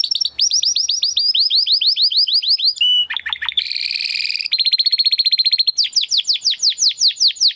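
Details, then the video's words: Male Timbrado Español canary of 2020 breeding, from rated parents, giving a training song: long series of falling trill notes, a few sharp dips, a buzzy roll, then rapid even pulsed trills, repeated about three per second. "Your Canary will sing immediately - meet Mr. Six ! - Canary 's Training Song"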